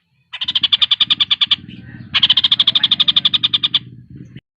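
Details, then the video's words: Song of a Javan cochoa, used to teach competition birds: two bursts of fast, evenly spaced high pulsed notes, each lasting over a second, separated by a brief pause, over a low continuous hum. "Tengkek Buto gacor speed rapat cocok buat masteran burung lomba"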